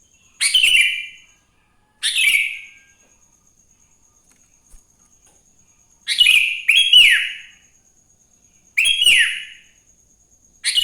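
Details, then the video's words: Sooty-headed bulbul singing in the morning to spur other bulbuls into song. Brief bright chirped phrases repeat every two seconds or so, some doubled, with sliding whistled endings and a thin steady high tone behind. "Suara Burung kutilang GACOR di Pagi hari‼️ Joss Buat Pancingan Kutilang Bahan Agar Cepat Bunyi"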